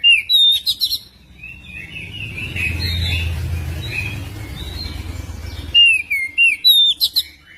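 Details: Magpie-robin song played as a lure to get other magpie-robins singing and chattering. Bright whistled, warbled phrases open and close the recording, with a softer stretch of chirps over a low rumbling background noise in the middle.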